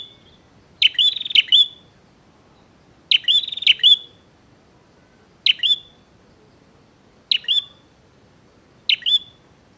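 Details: Bar-winged prinia in lively, provoking song meant to challenge a rival to fight: five bright, piercing phrases of clipped high chirps repeated about every two seconds, each phrase ending in a short twang, against a calm background.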